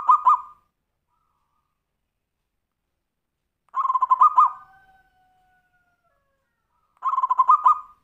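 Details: Tumpang sari song of a zebra dove, played to encourage other birds to sing: three short bursts of rapid, bubbling coos separated by pauses of about three seconds, with a faint whistled tone after the middle burst.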